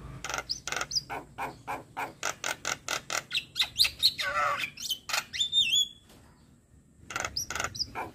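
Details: Javan myna tutor song for young mynas: steady train of rough buzzy pulses, a sweeping whistled phrase and a high pure note, a pause, then renewed chatter.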